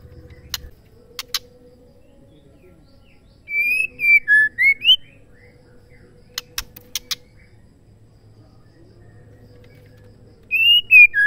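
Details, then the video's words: Female white-rumped shama calling, a sound used to stir males into singing and showing their repertoire in contests; two bursts of clear whistled notes that rise and fall, separated by sharp dry clicks and a faint steady hum. "MURAI BETINA PENGGACOR MURAI TERCEPAT‼️SEMUA MURAI PASTI NYAUT"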